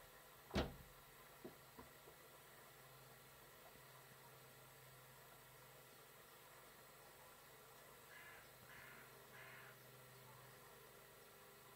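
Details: Carrion crow knocking on a balcony door on Whit Monday morning 2017, waking the residents: one loud sharp rap, two softer taps, then after a pause three hoarse, harsh caws.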